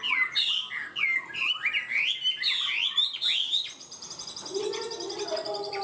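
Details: Caged Chinese hwamei singing loudly with fast, steady delivery: a rapid run of varied whistled and slurred phrases, rising and falling quickly, followed by softer, buzzier notes and a lower tone near the end.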